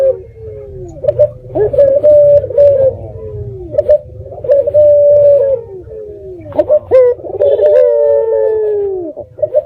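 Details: Local red-eyed dove used as a lure call to prompt other doves to answer, recorded on the eve of Jumat Kliwon: a run of repeated low rolling coos with a long, bending, drawn-out note near the end. Faint regular ticking underneath.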